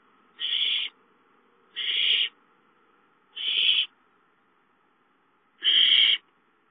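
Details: Nest of owls on 5/5, an adult arriving with a gopher at 8:53 and a chick grabbing it; four breathy, screechy hisses, each about half a second, separated by one- to two-second gaps.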